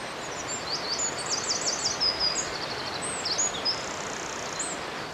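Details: Loud song of a male wren in Dare Valley Country Park woodland, Wales, sung to attract a mate; very high, fast trilled runs and chattering notes, a brief pause, then more sharp notes, over steady hiss.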